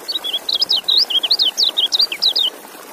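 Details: White-eye (kecial) song: a rapid run of about fifteen high, thin, twisting whistled notes, each sweeping up and down, delivered in an unbroken stream over a faint steady hiss.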